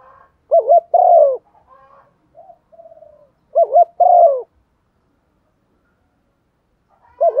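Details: Decoy spotted dove with a standard voice, calling to provoke others: two mellow phrases of a warbled double note plus an extended falling coo, several seconds of silence, then the start of a third phrase.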